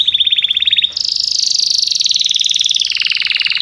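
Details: Belgian canary holding a long, very fast trill, shifting upward after the first second and slowly sliding lower toward the end.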